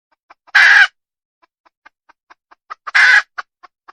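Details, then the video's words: Red junglefowl hen, wild, letting out two loud, harsh squawks a couple of seconds apart, with soft clucks rising in strength between them. "Suab poj qaib qus tsauj dib tuaj zoo heev"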